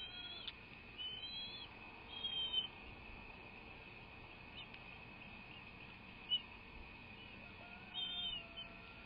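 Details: Bald eagle nest pair on a live camera: short bursts of high, thin piping whistles spread across the recording, some slurred downward, with a constant hum and faint noise underneath.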